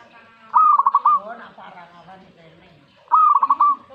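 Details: Song of a zebra dove reacting to a master recording: two phrases roughly two and a half seconds apart, each a sharp start then a fast string of pulsed coos, with soft, lower murmuring sounds in the gap.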